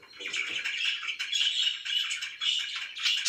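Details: Pet budgerigars chirp in the morning, a thick, even chatter of buzzy warbled notes with a few clear whistled squeaks standing out.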